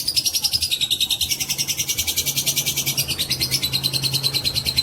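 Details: Fighter lovebird's long-duration provoking song, used to stir other lovebirds to sing. A loud, high, unbroken chattering trill of rapid pulses, wavering slightly in pitch and continuing throughout without pause.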